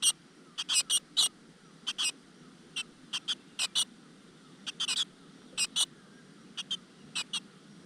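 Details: Great tit nestlings in a nest in a rock crevice, fed by their mother: short harsh hissing bursts in scattered clusters of two or three, with quiet gaps between them.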